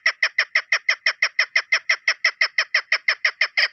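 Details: Rapid, evenly spaced chuk notes from a female chukar partridge kept as a lure bird, about twenty harsh, clipped calls in under four seconds at a steady, loud level.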